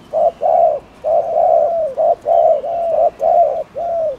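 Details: Cooing spotted dove used to stir up rival doves: steady mellow low coos, short and long notes alternating, some long notes sliding slightly downward, about one pair per second.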